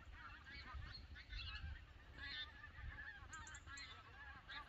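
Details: Flock of migrating Canada geese, Lambwath Lakes at Aldborough, honking loudly and continuously in overlapping waves, with a few thin high chirps after three seconds over a low wind rumble.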